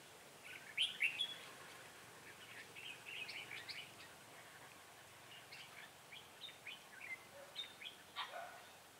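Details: Red-whiskered bulbul kept as a trapping decoy, December 2016: a busy run of many short, bright chirps and twittering notes over about nine seconds, with steady background hiss and possibly several birds calling.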